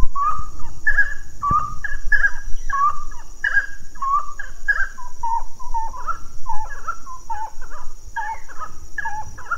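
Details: Grey-cowled wood rail (Aramides cajaneus): a loud, rhythmic run of nasal, yelping notes, about two each second, rising and falling in pitch, over a steady high insect-like whine.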